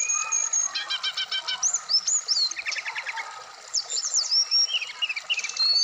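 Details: Full varied song of a caged Black-throated laughingthrush in Indonesia: a long pure whistle, a rapid stacked trill, curling high notes, a buzzy burst and further sliding whistles.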